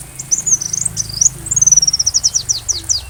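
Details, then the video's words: Rapid, high sunbird song recorded to train a white-rumped shama, mixing wavering whistled phrases with quick runs of sharp ticking notes over a soft low hum. "Masteran Rajanya Isian Kolibri"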